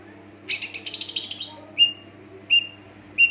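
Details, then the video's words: Lure song of a greater green leafbird, meant to prompt other leafbirds to sing: a dense chattering phrase, followed by three separate short whistled notes spaced under a second apart, over a faint constant hum. "pancingan cucak ijo dijamin NYAUT ngikut gacorrrr"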